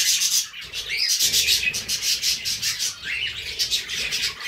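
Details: Budgies warbling nonstop, a rich stream of rapid high chirps, rasps and short rising whistles layered into a steady bubbling chatter.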